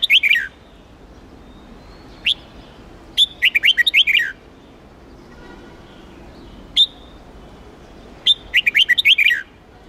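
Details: Huế red-whiskered bulbul trained for singing contests, delivering repeated rapid bursts of sweet, bouncing whistled notes with falling ends, separated by single sharp high notes and pauses of a few seconds.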